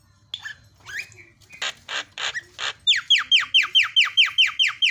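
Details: Javan myna song used as a lure for a bird gone silent: scattered scratchy notes and three broad rasps, then a brisk, even series of about eleven sharply descending whistles.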